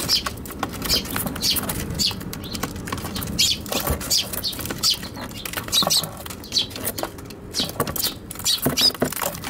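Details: Eurasian tree sparrows in a struggle inside a box on a balcony, Tanabata 2021, RX100M5A camera; scattered high chirps over nearly ten seconds, with wingbeats, scraping and tapping noises throughout.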